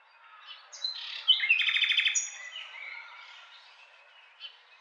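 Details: Short nightingale phrase: soft whistles leading into a dense, rapid pulsing rattle, then a trailing quieter warble and a final faint note.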